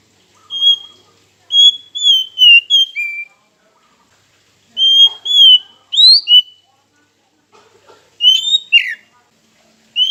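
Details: Oriental magpie-robin song played to goad rival birds into singing: well-spaced phrases of clear whistles, several sweeping upward or falling, with quiet gaps of a second or two between bursts.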